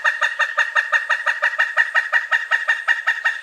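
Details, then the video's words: Steady, wild cackling series from a pileated woodpecker, loud kuk notes repeated close to three times a second throughout. "Pileated Woodpecker Sounds: Call, Drumming, Mating Voice & More Explained!"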